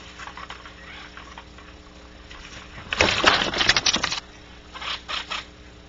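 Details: Barn owl outside its nest cavity at Audubon Starr Ranch, California: a harsh, broadband hissing screech lasting over a second, followed by two shorter hissy bursts, over a steady low electrical hum.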